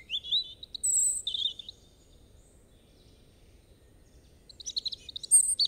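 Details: Brief high whistled notes from a European robin, then a long quiet gap, then a fresh cluster of fast, shrill twittering notes near the end.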